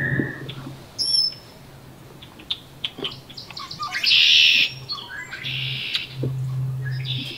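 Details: Incubating wood duck in a nest box, late May. One loud, harsh squeal of about half a second, then a fainter one, with a thin high whistle earlier, a steady low hum and scattered taps.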